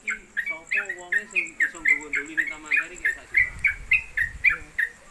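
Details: Trucuk (Yellow-vented Bulbul) kept in a cage as a tutor bird, praised for long 'konslet kemedol' singing. Steady, rapid, downslurred whistled notes repeat about four per second while people talk underneath.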